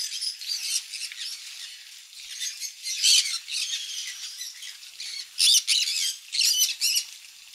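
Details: Conures at a parrot farm eating mealworm egg food, soft harsh chatter building to loud grating squawks in clustered bursts near the end.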